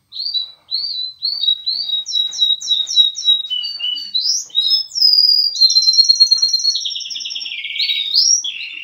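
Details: Hybrid of canary and linnet delivering rapid repeated chirping notes that build into fast trills and buzzy rolling phrases, clear and loud throughout.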